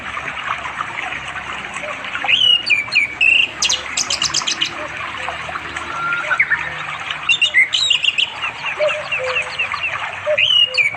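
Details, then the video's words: Orange-headed thrush singing to call a female for mating in unspoiled village forest with a flowing river, East Java, afternoon, phone recording; varied melodious whistles and twitters in several bursts, a brief buzzy rattle, continuous insect drone. "The sound of the red anis bird chirping melodiously"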